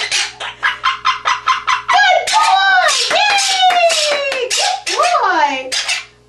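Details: A pet monk (Quaker) parakeet, sitting shrouded in a person's hair, talks and sings: a quick run of a dozen harsh, clucking squawks, then whistled warbling phrases that glide down and swoop back up, with speech-like syllables.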